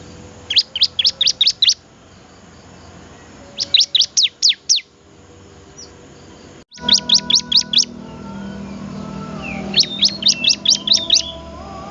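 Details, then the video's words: Bar-winged prinia, called ciblek, singing strongly: four short bursts of five or six sharp, high descending notes spaced a few seconds apart, with a faint hum behind. "burung ciblek gacor"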